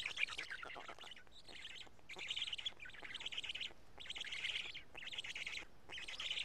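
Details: Black stork nest, Karula, midday on 31 May 2017, as chicks feed on pieces of two big fish: rhythmic bursts of breathy, grating squeals, about one per second, separated by short quiet gaps.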